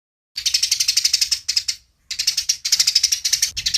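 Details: Fighting Eurasian tree sparrow in a clear master recording: fast, rasping chirps of about eight a second in two bursts around a short silent gap.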